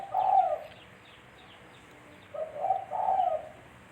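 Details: Spotted dove lure call for trapping: two soft, muffled cooing phrases, the second a slurred run of low hollow notes.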